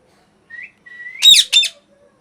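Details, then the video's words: Loud parrot noise: a brief whistled chirp, then a longer whistle rising slowly in pitch, breaking into two harsh, raspy screeches in quick succession, followed by a faint low hum. "Loud Parrot Noise #2 | Natural Parrot Sounds | Parrot Calling Sounds"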